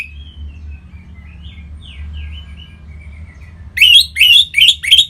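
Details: Caged orange-headed thrush singing, used to prompt other birds to sing: soft, thin warbled whistles for several seconds, then a loud burst of rapid, harsh rising notes, about five in a second, with a low hum behind.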